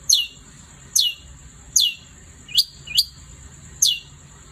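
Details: Long-tailed shrike singing actively at night: sharp, high whistled notes sweeping steeply downward, repeated about once a second, with a steady thin high whine running underneath throughout.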